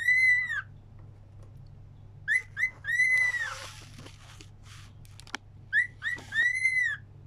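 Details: Cockatiel singing along: long arched whistles alternating with pairs of quick rising whistles, a faint rattle and click between phrases, and a constant low hum.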